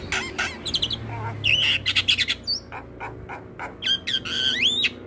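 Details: Master recording of a Javan myna in full song, used to train other mynas: loud raspy squawks and chatter, interrupted by sweeping upslurred whistles near the end, with faint low hum behind.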